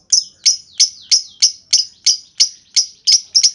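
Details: Lovebird ticking in the 'ngetik' style as a lure for other lovebirds' long chattering: an even, rhythmic string of ringing, high chips, about three each second.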